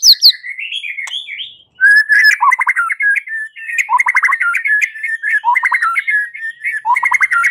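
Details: White-rumped shama singing in a fighting mood: high whistles at the start, then a long, dense stream of rapid trills and buzzy rattling phrases without a break.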